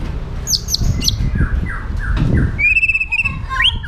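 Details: White-rumped shama kept in Indonesia delivering an aggressive training song: high clipped notes, a sequence of falling slurs, then a rapid trilled rattle and rising whistles, with low rumbling noise underneath.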